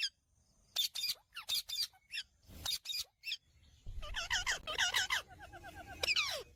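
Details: Ringneck parakeet calls: a series of harsh, high squawks, then a denser run of rapid, chattering notes with some tonal whistled elements, over a faint low background rumble.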